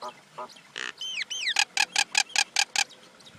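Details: Common Indian myna: a harsh grating note and two downward-curving whistles, followed by a regular run of about eight loud harsh squawks, roughly two per second.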